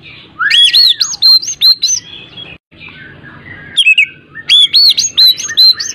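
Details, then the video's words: Lure song of an oriental magpie-robin for coaxing a reluctant bird to sing: fast sequences of rich, looping whistles and slides, a brief lull, then another energetic burst of varied sweet notes. "AMPUH UNTUK PANCINGAN KACER MALAS BUNYI"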